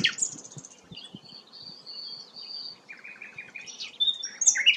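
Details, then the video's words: Actively singing flycatcher, locally called sikatan londo and prized for its melodious song. Thin, drawn-out high whistles sit between rapid chirp clusters, ending in louder sharp notes against light background noise. "burung sikatan londo gacor"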